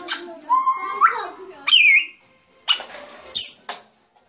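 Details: Grey parrot producing a rising nasal call, a bright upward-sliding whistle, then short sharp squawks and clicks with pauses between them.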